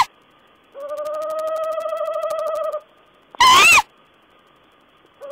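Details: Owl on 14 April 2010 giving a two-second wavering trill followed by a short, loud, rising-then-falling call, then quiet.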